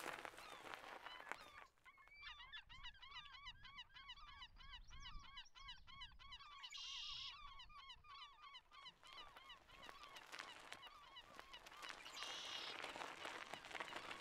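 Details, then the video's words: Seashore birds along the Richmond Dyke, heard from a bike ride from Steveston: a fast run of repeated honking calls between about two and nine seconds, with gravel crunching under wheels and a few higher whistled notes. "With Seashore Bird Sounds"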